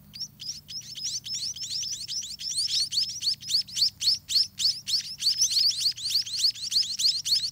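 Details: Scaly-breasted munia young calling for food in the nest as parents bring meals: fast, regular string of high, upslurred chirps, growing louder and more pulsed toward the end, about three and a half per second.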